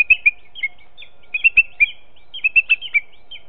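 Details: A young booted eagle that is learning to fly begs near its nest with quick, high, thin whistled chips in bursts of two to four notes, over soft low thumps. It comes in as the male leaves a mistle thrush as prey, 23 July 2019, 9:18.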